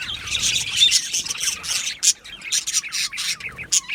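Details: Australian budgerigars in an aviary colony, many birds chirping at once: dense, overlapping scratchy warbles and sharp high chips, with louder squawky bursts near two and three and a half seconds.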